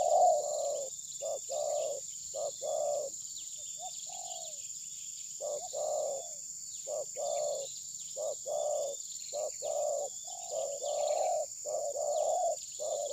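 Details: Spotted dove kept as a trapping lure that will not attack, perhaps moulting or out of form. Long series of low hollow coos in short bursts, one pause near the middle, with a steady high insect buzz. Recorded by phone.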